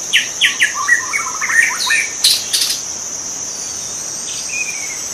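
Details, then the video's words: {'caption': 'White-rumped shama singing in the wild: quick stuttered runs of short notes and sweeping whistles, mid to high pitch, in bursts during the first half, over a steady high insect drone with a few sharp clicking bursts.'} "kicau murai batu di alam liar"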